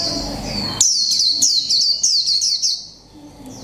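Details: Caged Japanese white-eye, mộc tinh type, one month in the cage, delivering líu pha chòe trống song: a run of quick descending twittered notes, roughly four per second, trailing into quiet.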